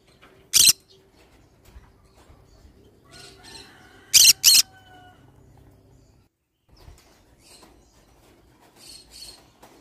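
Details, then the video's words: Green-cheeked conure in pineapple colouring, kept as a pet: a single sharp squawk, then a faint whistled sliding note, then a quick double squawk, followed by soft chatter and rustling. "pineapple conure sound"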